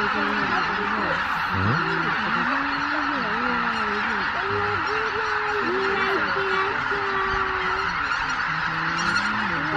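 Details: Greater white-fronted geese leaving the roost at dawn at Miyajima-numa, 23 April 2017, a flock of more than 83,000 in unsettled weather; loud nasal honks, some long and level, ring out over the constant roar of the flock.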